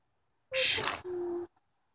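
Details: A tame wild cowbird gives a brief bright, high squeaky burst that slides downward. It is followed by a steady low hum-like tone lasting about half a second, in quiet surroundings.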